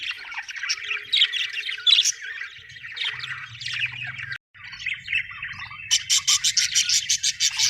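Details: Budgerigars chirping happily in fast, busy chatter, with a brief gap midway, then a run of sharp, evenly spaced clicking chirps near the end over a faint low hum.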